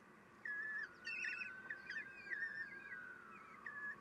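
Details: Female common kestrel feeding chicks at the nest, morning of 3 June 2021; a drawn-out, wavering whine that slowly falls in pitch, overlaid by shorter squeaky notes.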